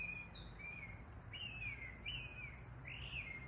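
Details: Sparrows enjoying a bath give five clear chirps, each sliding downward, repeated roughly every half second above a constant low hum and faint background hiss.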